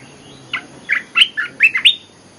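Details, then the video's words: Lure song of an olive-winged bulbul: a lively phrase of about seven quick, bubbly notes, each sliding down then up, the later ones louder and sharper, delivered in just over a second against quiet hiss. "Suara pikat merbah belukar gacor"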